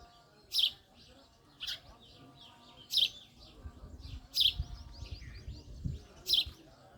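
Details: Clipped, high chirps from a male house sparrow repeat roughly every one to one and a half seconds, five loud notes in all, with a soft low rumble in the background.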